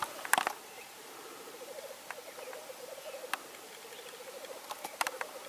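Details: Spring black grouse in Norway, 8 May 2019: a clear rolling, pulsed bubbling murmur repeats across the clip, punctuated by loud clicks near the start and end.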